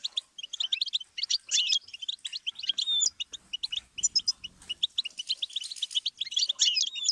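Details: Goldfinch song played as a learning stimulus for songbirds: continuous tinkling twitter with fast high chirps, sliding whistled notes and jangly trills, sounding busy and slightly layered throughout.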